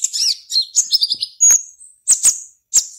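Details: Competition black-naped oriole from Serang, Banten, Indonesia, caged, delivering quick slurred high whistles followed by a few sharp, clipped chirps in a brief burst.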